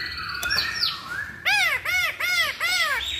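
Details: Chinese hwamei lure song: soft slurred whistles, then four loud, rich, arching whistled phrases repeated about every half second.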